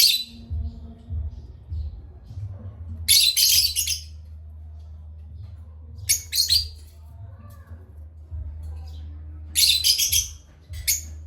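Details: Parrots chirping at playtime: bursts of rapid, harsh, scratchy chirps come in clusters roughly every three seconds, separated by quiet gaps filled with a low steady hum.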